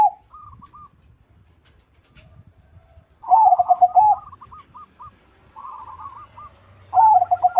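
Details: Loud-voiced zebra dove song with soft, clipped cooing notes. Twice it breaks into a strong, bubbling, trilled coo phrase about one second long, with faint low rumbling underneath.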